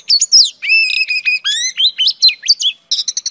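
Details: Short burst of song from a female oriental magpie-robin calling to provoke males: sharp chips, steady clear whistled notes, upward slides, then a quick series of bright staccato pips.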